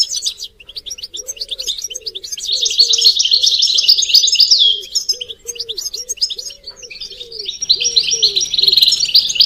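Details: European goldfinches in group twittering with mating calls, played to stimulate caged males; a sustained bright jangling chorus overhead, while a lower hooting note repeats steadily about four times a second underneath.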